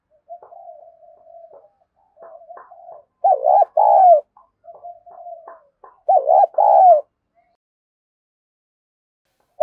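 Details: Spotted dove lure coo (kích bổi): soft, drawn-out humming coos alternate with two loud hoarse phrases of rapid double coos and a longer falling note, then quiet.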